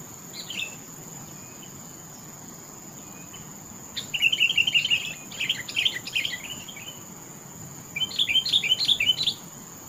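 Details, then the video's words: Sooty-headed bulbul singing sweetly: after a faint opening note, two lively bursts of rapid, bubbling warbled phrases several seconds apart, with a steady high-pitched background whine. "Suara burung Kutilang TOPCER merdu sekali"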